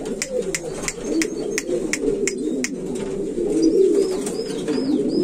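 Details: Low, rolling coos from several buchón valenciano antiguo pigeons blend into a steady hum, punctuated by regular crisp ticks and a few faint high chirps near the end.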